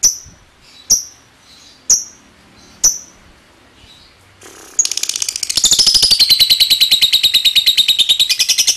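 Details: Lovebird used to provoke other lovebirds into a ngekek trill: four sharp, spaced high chips about a second apart, then a short noisy burst and a rapid shrill rattling trill that builds and continues.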